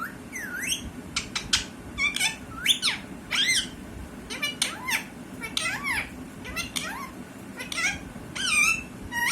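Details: Talking parrot calling busily: rapid harmonic squawks, sharp whistled sweeps and V-shaped dipping notes follow one another irregularly, over a constant low indoor hum.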